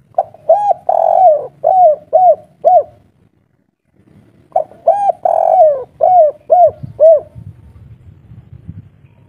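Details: A spotted dove gives a local wild three-note coo, two soft, mellow phrases of several hollow notes, the long middle note slurring downward, with faint low rumbling behind.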